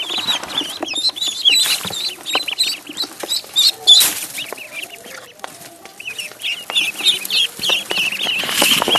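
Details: Pond duckling calling in quick, irregular runs of shrill peeps, roughly three per second, each slightly wavy in pitch, over constant splashing, knocks and clatter.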